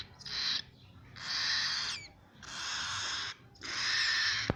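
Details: Cockatiel chicks rasping in four harsh, breathy hissing bursts, each close to a second long, spaced by short pauses, with a faint higher squeak at one point.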